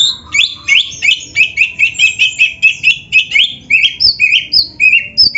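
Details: Oriental magpie-robin singing in 'gacor' style for caged-bird training: a rhythmic string of short, bright, slurred whistles repeated about three times per second, ending in higher, clearer notes.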